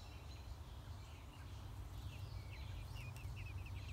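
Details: Six-day-old American robin chicks at the nest during a feeding: faint high chirps early on, then a quick run of short, sharp, downslurred squeaks near the end, all over a constant low hum.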